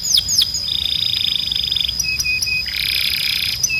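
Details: Canary tutor song for training young birds to sing: quick falling whistles, a fast rattling trill, short clipped mid-pitched notes, then a buzzy broad chord, over a sustained high whistle.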